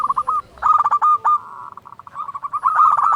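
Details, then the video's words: Local zebra dove with a loud voice, singing as a lure to make other doves sing: bursts of rapid stuttering coos, a soft hollow pause of steady tones, then another quick bubbling phrase. "Perkutut lokal gacor SUARA BESAR pancingan burung perkutut agar bunyi"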